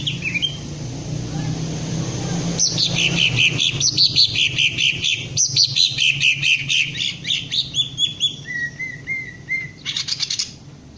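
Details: A green leafbird in ngentrok training gives varied high warbled phrases and rapid chip series, then a few flat lower whistles and a final burst of clicks, with a faint low hum.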